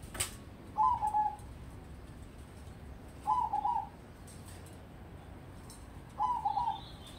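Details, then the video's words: Zebra dove of crossbred stock, kept as a prospect for song contests, gives three rolling, trilled coo phrases spaced nearly three seconds apart over a soft low hum. "Perkutut Crossing Prospek Untuk Lomba"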